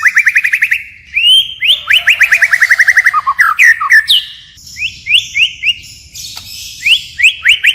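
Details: A white-rumped shama sings in wild-forest style with continuous phrase changes: fast rhythmic runs of repeated notes, then well-spaced, bright upswept whistles repeated several times.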